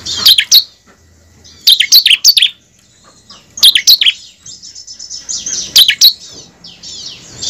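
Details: Bar-winged prinia song used as a lure to make kept prinias sing freely and in the rapid ngebren style: bursts of sharp, high chirping notes at about 0.3, 2, 4 and 6 seconds, with softer high twittering between them.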